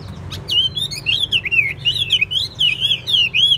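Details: Caged Chinese hwamei, a wild-caught bird tested for fighting, singing a rich run of high whistled notes that loop and warble up and down without pause, over a steady low indoor hum.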